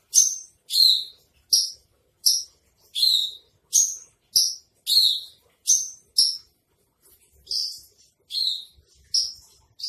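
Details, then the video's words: Javan bush lark, a bird offered for sale, singing in trotol style as a tutor recording: separate bright downslurred notes with buzzy upper overtones, about one every 0.7 seconds, with short pauses between them. "masteran branjangan trotol"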